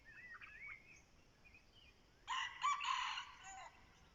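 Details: ['A red junglefowl kept as a decoy gives one rough, broken crow of about a second and a half, against a hissing background. Faint bird whistles come before it.']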